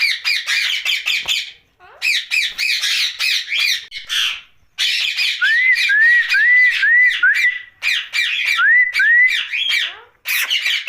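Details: Ringneck parakeet, a pet, at night: long sequence of harsh rhythmic squawks several per second, broken by runs of rising whistled notes about every half second, then more screeching.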